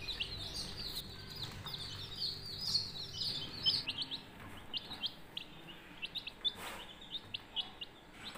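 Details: Budgerigar chicks, colourful, chirping in a breeding setting; a dense chatter of short high chirps and warbles, busiest in the first four seconds, then sparser scattered chirps over a low steady hum.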